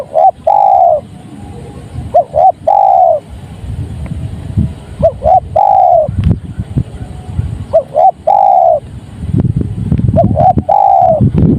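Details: Spotted dove (tekukur) repeating its coo phrase five times, each two short notes then a drawn-out coo, about two seconds apart, with intermittent low rumbling traffic-like noise in the background.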